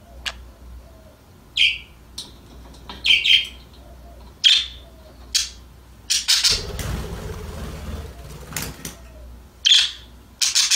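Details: Budgies calling while playing: separate short, bright chirps spaced one to two seconds apart, and a rustling noise in the middle of the clip, against a quiet background.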